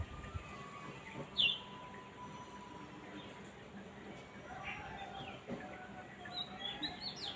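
Small birds chirp in brief, high, scattered notes, one louder sharp chirp early and softer twitters later, over a steady background hiss.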